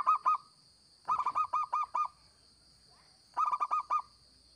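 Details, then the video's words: Local zebra dove singing actively, for use as a lure: bursts of short, rapid, bubbling coo notes in runs of two, then six, then five, with short pauses between runs. Two steady high-pitched whines run throughout. "Perkutut Lokal Gacor‼️Cocok Buat Pikat BUNYI"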